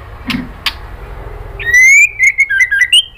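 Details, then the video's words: White-rumped shama female calling to the male: two soft clicks, then a long rising whistle followed by a quick string of short warbled whistles, ending on a higher note, over low background hum. "MURAI BATU BETINA GACOR memancing BUNYI"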